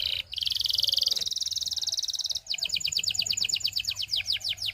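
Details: Belgian canary singing so other canaries start to sing: a loud, continuous buzzy roll for about two seconds, then a spaced series of clear downward-slurred notes repeated several times a second.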